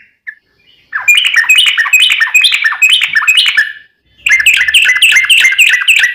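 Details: Yellow-vented bulbul in long, energetic song used to prompt bulbuls to respond: two extended bursts of rapid, chattering warbles with notes tumbling up and down, separated by a short pause.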